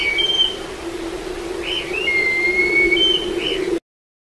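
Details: Black kite (Milvus migrans) in Kemerovo giving thin, high whistled calls: a few short wavering notes, then a long drawn-out whistle, over a steady low engine-like hum.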